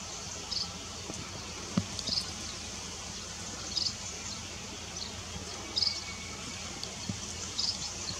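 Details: White-rumped munia recorded on 19 March 2023 at Lugu: faint, short, thin high notes repeated roughly every two seconds, five in all, over a steady background hiss and low rumble with a few soft knocks.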